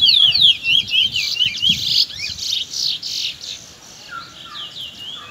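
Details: Young chestnut-bellied seed finch, known locally as Trinidad bullfinch, in close afternoon song: quick tumbling whistles and chirps at first, then a buzzier warbled passage, fading to softer, sparse slurred notes.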